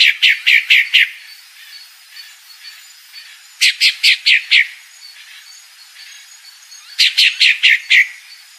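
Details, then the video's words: Female Pale-breasted thrush calling: three bursts of four to six loud, sharp, falling chips, spaced about three seconds apart, with soft distant bird notes between. "Fêmea Sabiá Branca Barranqueira Chamando"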